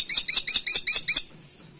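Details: Six rapid, evenly spaced harsh notes, each bending upward, from a Grey-and-buff Woodpecker, followed by a brief faint chirp.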